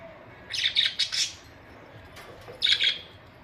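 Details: Pet budgerigars give two bursts of bright, scratchy chirping, the first of several quick warbled notes, the second shorter, with a faint call between.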